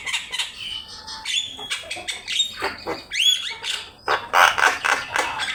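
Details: Energetic Javan myna singing for a bird-training master: fast rattling clicks, grating squawks and a bright upward-sweeping whistle, with notes tumbling out in rapid irregular bursts.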